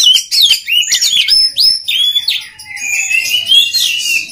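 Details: Training song of an oriental magpie-robin: bright rising and falling whistles in quick succession, then longer drawn-out whistled notes, with a faint thin tone in the background.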